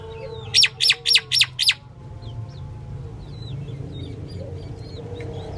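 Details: Female Indian myna giving five loud, harsh, grating notes in quick succession, followed by quiet, thin chirps from other birds and a low steady hum.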